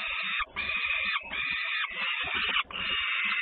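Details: Peregrine falcon in Włocławek, Poland, 3 June 2010, a sister making a racket on her return at feeding: long, almost unbroken harsh screeching in four extended bursts with tiny breaks.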